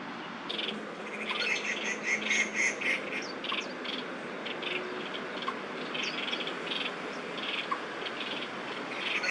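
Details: Crested Goshawk in Daan Forest Park, Taipei, on 30 September 2022, two males calling at each other in a territorial dispute: a short run of sharp, repeated kek notes mid-clip over a steady hiss of insects and city background.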